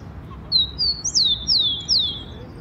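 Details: Rufous-collared sparrow, wild, in Brazil, perched in park or garden trees, gives a full song phrase: two short, high, even whistles followed by three bright, descending slurred whistles, evenly spaced about half a second apart against soft background noise.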